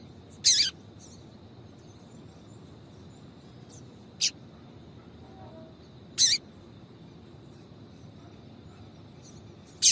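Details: Female yellow-bellied seedeater calling to warm up a male: sparse sharp chips spaced roughly two seconds apart, one softer, with a faint continuous high tone in the background.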